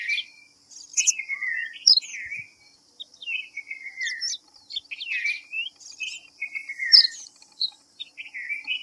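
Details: Clear, sweet whistles from a white-browed fantail (Rhipidura aureola), mostly falling slurs strung into quick phrases, with a constant thin high-pitched hum behind them.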